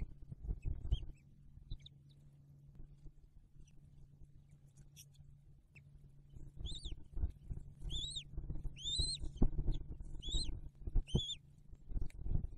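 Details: Bald eagle at the nest where the first egg hatched in December 2022: quiet rustling at first, then a run of piercing, downslurred chirps repeated roughly twice a second, over a constant low hum.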